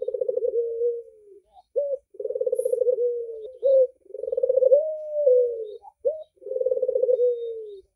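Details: Barbary dove with red eyes, described as a persistent caller, gives four cycles of low purring, rolling coos that each end in a drawn-out falling note. Brief clipped notes separate the coos, and the background is quiet.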